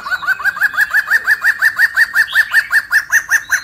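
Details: Black-throated laughingthrush, a Vietnamese endemic of Central Highlands evergreen forest, giving a fast, even run of hollow, arched notes, about five a second at mid pitch, like rapid chuckling; nothing else is heard.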